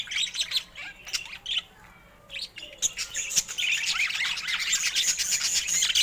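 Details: Pet budgerigars with unusual colour mutations give scattered chirps and clicks, then swell into continuous loud scratchy warbling chatter.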